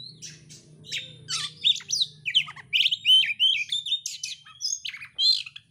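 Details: Oriental magpie-robin singing with its tail fanned, loud slurred whistles and buzzy chatters, including a long sliding whistle, over a low steady hum at the start.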